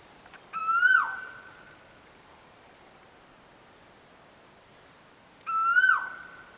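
Asian koel giving two loud, clear whistled notes about five seconds apart, each held briefly then dropping sharply at the end, over quiet background hiss.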